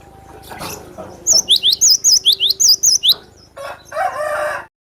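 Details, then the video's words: Cinereous tit (glatik batu) singing a brisk run of about ten piercing, high whistles, alternating dipping and rising shapes, then a short harsh, noisy burst from another sound. "Suara burung Glatik batu pemancing emosi pemasteran"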